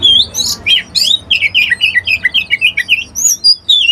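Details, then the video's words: Oriental magpie-robin pouring out a fast, rich song: scratchy high notes at first, then a rapid string of short, rolling whistled phrases, several every second, ending in clear whistles. "Original sound of Magpie Robin"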